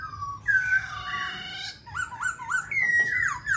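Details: A Black-throated Laughingthrush, a singing and display bird used to stimulate other birds to sing, gives a long, rich whistled phrase that slides and wavers, then a quick run of short rising slurred notes, full and ringing.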